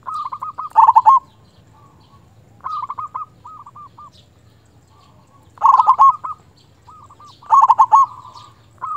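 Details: Loud local zebra dove calling a rival: repeated cycles of softer beaded cooing and strong, rapidly pulsed rolling phrases, roughly every two seconds, with quiet gaps between.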